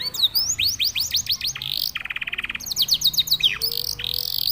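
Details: Singing canary: series of rising whistled notes, then a lower rapid buzzing roll, then more quick upslurs and descending sweeps, bright and rhythmic.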